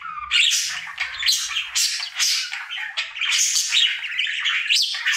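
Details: Male pet budgerigar warbling cheerfully as part of his daily singing routine indoors, loud continuous chatter of rasping squawks, clicks and high chirps in quick bursts.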